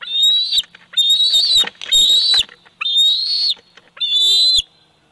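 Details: Loud, insistent run of five shrill whistled screams from a 104-day-old bald eagle eaglet at its Big Bear Valley nest, recorded by nest cam on 27 July 2019, with rustling and harsh rasping between calls.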